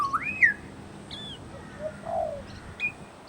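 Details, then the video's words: Pied butcherbird at a bird sanctuary mimicking other birds: a looping whistled phrase rising and falling, a brief high note, then a soft low cooing dove-like sound and a short high whistle. "Amazing mimicry by Pied Butcherbird"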